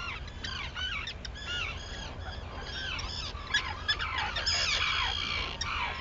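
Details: Sunrise colony of Arctic terns, Seal Island, Maine, 11 June 2018. Numerous birds give harsh, slurred, chattering calls in quick succession, roughly three a second, over a constant low hum.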